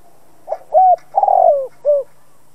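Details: Spotted dove cooing as a lure to provoke other doves into calling: a single low, mellow phrase of four hooting coos, the third longer and wavering, with no other sounds in a quiet background.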